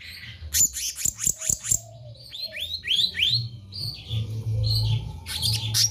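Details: Black-naped monarch, called kehicap ranting, singing actively: a quick run of sharp high notes, then a series of rising-and-falling whistled slurs, and a closing burst of rapid high notes, over a steady low hum.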